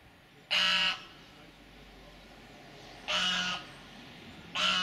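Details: Goose guarding its territory at Azannes, 2015, giving three harsh, loud, broadband blasts about half a second each, the first two spaced some two and a half seconds apart and the third following quickly, over quiet background hiss.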